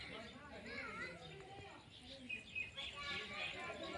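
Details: Indian ringneck parakeet, a green parrot, talking: a run of high, speech-like syllables with shifting tones and short pauses, mimicking human words, over a steady low background hum.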